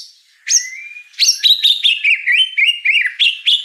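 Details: White-rumped shama song for training a juvenile murai batu trotol: a sharp rising note and held whistle, then a quick sequence of bright, wavering whistled notes repeated about four times a second.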